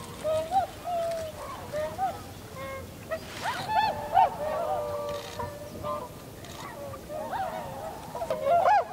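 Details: Winter Tundra swans, recorded 7 February 2015 during flocking and flight: scattered, softer nasal honks and a few longer level notes against a noisy background.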